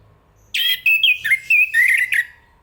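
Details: Song of a chestnut-capped thrush, Zoothera interpres: a burst of rich, slurred whistles running into a string of quick warbling notes that rise and fall, ending in a short fading whistle.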